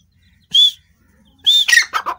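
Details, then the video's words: {'caption': 'Grey francolin (teetar) calling: two loud, shrill arched whistles about a second apart, the second followed by a quick run of harsher, lower chattering notes, over a quiet background.'} "dakhni teetar ki awaaz grey francolin voice"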